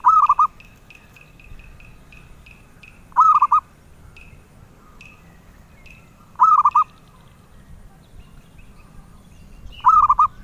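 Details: Zebra dove, a bird prized by collectors, singing melodious phrases of quick, bubbly cooing notes. Four phrases come about every three seconds, with faint higher chirps between them.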